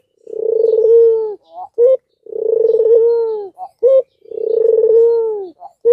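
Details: Albino Barbary dove, kept to spur lazy or learning doves to call. It gives three long, smooth, low coos that swell and fade, each ending in two brief, sharper notes, roughly every two seconds.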